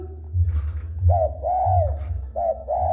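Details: Spotted dove cooing when approached, recorded indoors: two-part coos around 600–800, a short note then a longer arched one, repeated in pairs, over a steady low hum.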